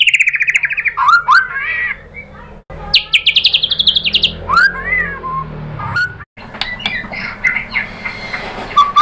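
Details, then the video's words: Murai batu song to stir other birds into singing: rapid trilled runs, rising slurred whistles and a high buzzy burst, with quieter chips and soft background noise between phrases. "SUARA MURAI BATU AMPUH ‼️ bikin NYAUT GACOR BONGKAR MATERI ISIAN ¦ PANCINGAN MURAI ¦ SHAMA BIRD"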